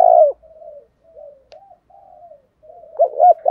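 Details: Fragmentary 'thổ đồng thúc đấu' calling of a spotted dove, used to provoke wild doves to fight: a long coo ends at the start, soft low murmurs follow, then two short hoots begin a new phrase.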